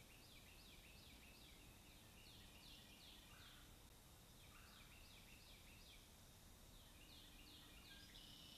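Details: Bald eaglet defending its food at a nest over 100 feet up in a loblolly pine by Kincaid Lake, Kisatchie National Forest, Louisiana. It gives high, thin, slurred squealing notes in rapid descending bursts, pausing mid-clip, over steady low background hiss.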